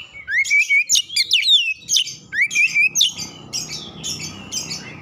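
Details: Oriental magpie-robin lure song to set off another bird: about three seconds of rising whistles and sharp chips repeated in quick groups, followed by scratchy, buzzy calls over a rough background noise.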